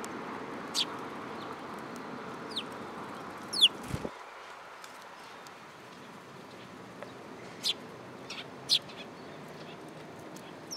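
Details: Sparrows at a Tenmangu shrine on 8 July 2022, coming to perch on a person's hand; short sharp high chirps at scattered moments over a steady background hum, with one brief low thump near the middle.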